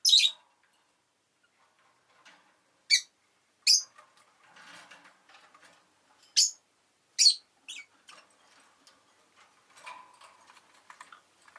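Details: Rosy-faced lovebird giving sharp, shrill, very high chirps, single or paired, spaced a few seconds apart. Soft rustling and quiet chatter fill the gaps between them.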